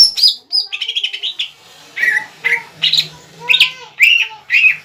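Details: Greater green leafbird, a caged untrained 'bahan' bird singing actively to provoke a rival into singing back: a quick run of high chirps, then separate bright whistled notes, some swooping down, spaced about half a second apart.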